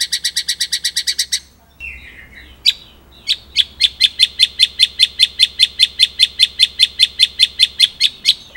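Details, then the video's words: White-rumped shama (murai batu), an active singer in 'ngerol nembak' style, delivers a fast burst of sharp repeated notes. A brief gap follows, then a long steady run of crisp notes at just under two per second. "Masteran Murai Gacor !! Materi Komplit Ngerol Nembak | Shama Bird Song"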